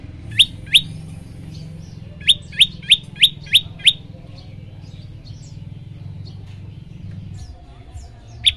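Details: Song of an olive-backed tailorbird, played to get other birds singing: a pair of sharp chirps, then a quick burst of six ringing high notes, followed by soft scattered twitters and a final chirp, low hum beneath.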